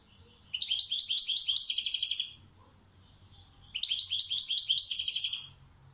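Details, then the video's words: European goldfinch, described as a maestro, gives two similar phrases about three seconds apart. Each starts with rapid chattering twitters and ends in a dense, buzzy, metallic trill. A faint low hum sits underneath. "Saka kuşu konser veriyor maestro"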